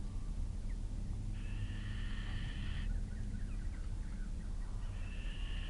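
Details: Two fluffy little owl young, just out of the nest, are fed their evening meal and give drawn-out, harsh wheezing hisses in two long bursts over a low rumble; the food is shared unequally. Kalmthout, 11 June 2022.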